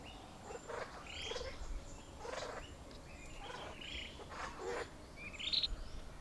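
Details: Male grey peacock-pheasant displaying to a female at a forest hide in Kaeng Krachan National Park, Thailand; short low clucking bursts come about once a second, with high chirps and whistles from other forest birds behind.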